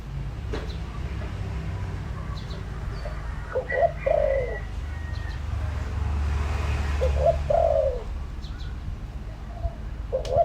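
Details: Decoy spotted dove calling to lure wild doves: two clear coo phrases of short notes and a longer falling note over steady low background noise, with a few clicks.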